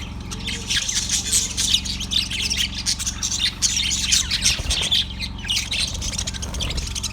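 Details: Yellow budgerigar, February 18, 2024, in continuous busy chatter of high chirps, squeaks and warbles with hardly a pause, above a steady low background hum.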